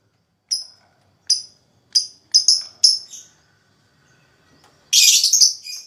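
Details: Lovebird giving a handful of sharp, high, separate chips at irregular gaps, then a sudden dense shrill chattering burst at the end, sung to stimulate other lovebirds into ngekek; otherwise quiet between notes.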